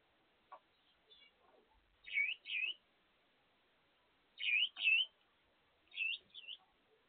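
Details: Owner's Gouldian finches singing as they eat: three well-spaced pairs of bright, upswept whistled notes about two seconds apart, with faint ticks and rustles between them.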